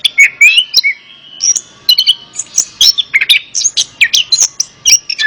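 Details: Song of an orange-headed thrush played to get a reluctant bird to sing along: a lively, continuous stream of high whistles, upward slurs and clipped chips with a varied rhythm.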